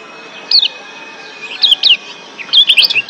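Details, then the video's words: Lombok white-eye, wild bird in breeding condition, giving short high chirps in three bursts of slurred, wavering notes, separated by quiet gaps, over a faint steady background hum. "Ciak Joss Kecial Kuning GEBOKAN LIAR Ampuh Naikin BIRAHI Bikin AKTIF BUNYI"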